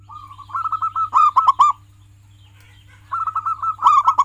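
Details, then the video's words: Zebra dove of local stock, kept as a pet, singing a training song: a rising rolling series of soft coos swells into four loud stuttered notes, then the pattern repeats after a pause; low hum beneath. "Masteran perkutut lokal gacoran, pancing dengan suara ini agar perkutut jadi gacor"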